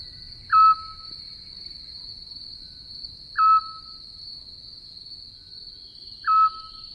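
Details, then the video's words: Eurasian scops owl song in Portugal, a typical Mediterranean spring night sound: three short, mellow whistled notes, about one every 2.5 seconds (22–25 per minute), over a steady high insect hum. "E agora vamos ouvir o canto do mocho pequeno de orelhas."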